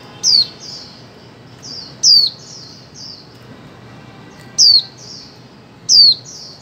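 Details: Female white-eye giving calls meant to prompt mute birds into singing, recorded in 2024: four sharp, high, downslurred notes spaced irregularly, each trailed by softer short chirps, with steady low hiss behind.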